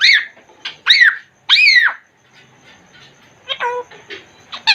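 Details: Congo grey parrot kept in a cage talks indoors: three loud arched whistled syllables, then a pause and softer speech-like mumbling with short stepped notes.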